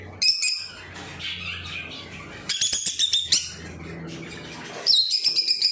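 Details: Pet lovebirds, young birds among them, with loud harsh high squawks and chattering bursts near the start, middle and end. Quieter rustling and low murmurs fill the gaps between the bursts.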